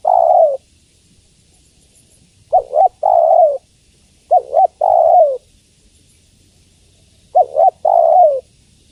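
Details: Spotted dove, a female calling the male, gives soft low coo phrases. Each phrase is a quick double coo, then a longer falling coo, repeated about every two and a half seconds in a quiet setting.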